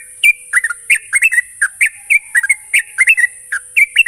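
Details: Lure recording of a Sooty-headed bulbul meant to get untrained birds singing: a dense, unbroken stream of clear warbling whistles and chirps, often in twos and threes, with high hiss throughout.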